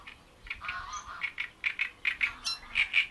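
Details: Great reed warbler at Bohdanečský rybník pond giving a series of short, rasping notes repeated roughly every fifth of a second, growing louder and more regular toward the end.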